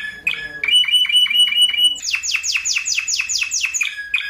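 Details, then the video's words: Spanish Timbrado canary song with tight rolls, a recording used to tutor and stimulate other canaries: brief sharp notes, a run of quick repeated metallic notes, then loud downward-sweeping notes repeated about five times a second. "SUARA KENARI SPANISH TIMBRADO TEMBAKAN NGEROLL RAPAT COCOK BUAT MASTERAN DAN PANCINGAN KENARI ANDA"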